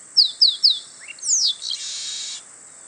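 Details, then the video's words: Male chestnut-capped blackbird singing in the wild at Itatiba, São Paulo, Brazil, at 08:40 on 24 March 2017, recorded on a Panasonic camcorder: three quick descending high whistled notes, then a sliding downward note and a long buzzy trill lasting about a second. "Canto do Garibaldi (Chrysomus ruficapillus)"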